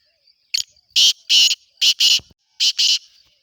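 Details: Black francolin (kala teetar) calling in breeding season, the harsh phrase given three times: a short scratchy note, then paired loud rasping bursts, each group about half a second long, with a faint insect whine underneath.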